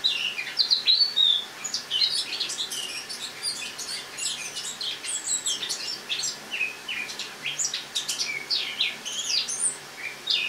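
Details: Captive Eurasian blackcap wintering in a kitchen sings its autumn song on the morning of 1 October 2017: long, fast, unbroken warbling of sharp chips and twisting whistles, high and varied throughout.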